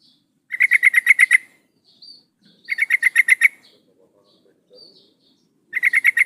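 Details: Sooty-headed bulbul female luring a male: three fast rattling runs of eight or nine crisp chirps, repeating about every two and a half seconds, with soft faint notes between runs.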